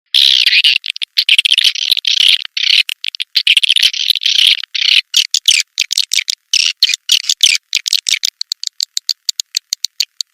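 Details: Swiftlet lure call used to attract swiftlets: dense, buzzy chattering trills in rapid bursts, breaking into quick separate clicks toward the end.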